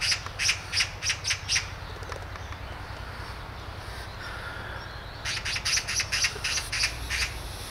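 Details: Great spotted woodpecker recorded at Hanbam village in Daeyul-ri, Bugye, Gunwi, North Gyeongsang, Korea: a rapid string of harsh, sharp notes, a pause of about three seconds, then another fast string of similar notes.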